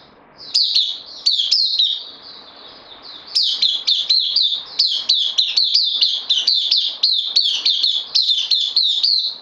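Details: Caged bulbul, a newcomer on loan, recorded 12 September 2020: bursts of sharp, high chirps, each dropping slightly in pitch, rattled off quickly in two runs with a brief lull between.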